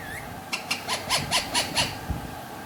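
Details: An Alexandrine parakeet, a pet talking in Urdu/Hindi, gives a quick string of six harsh, raspy syllables of mimicked speech after a faint rising whistle, in a quiet room.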